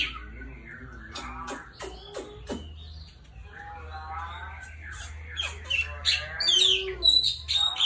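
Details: White-rumped shama singing in the afternoon, used as a lure to prompt other birds to sing; varied rich phrases mixing harsh squawky notes, rapid warbled trills and sharp clicks, ending in high clear whistles, with a low steady hum underneath.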